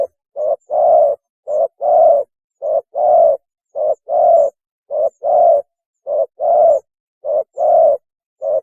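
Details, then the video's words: Spotted dove mating call used as a trapping lure: mellow low coos in regular pairs, a short note then a longer swelling one, repeated about once a second with clean silent gaps. "PANGGILAN KAWIN...!!! SUARA BURUNG TEKUKUR TERBAIK"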